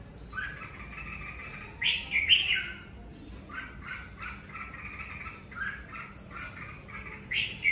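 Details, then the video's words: Natural red-whiskered bulbul at home during the covid season singing bright, warbling phrases of liquid notes around mid-high pitch, repeated in short bursts with brief pauses; faint background hum. "Mào ché tự nhiên"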